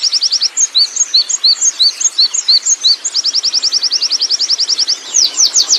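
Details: Rolling ngerol song of a wild Oriental white-eye. Spaced high, slurred notes in an alternating pattern give way to a fast, dense trill of thin chips, then brighter upswept notes at the end.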